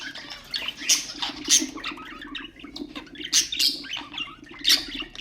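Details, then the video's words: Budgerigar chatter meant to stimulate other birds: softer continuous twittering broken by louder harsh squawks about every second, with a low steady hum behind. "اقوى أصوات طيور البادجي طيور الزينة أصوات تحفيز الطيور"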